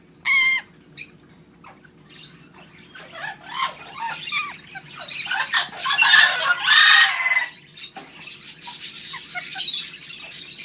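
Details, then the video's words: Parrots kept in a pet store giving scratchy squawks, chirps and clicks, some bursts dense and overlapping, others short and isolated, with a faint constant hum behind. "Talking parrots"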